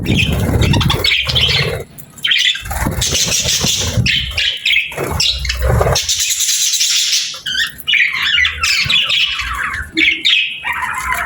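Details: Cheerful, happy budgies chirping alongside nature sounds: rapid chattering warbles and high squeaks in uneven bursts, mixed with low rumbling noise.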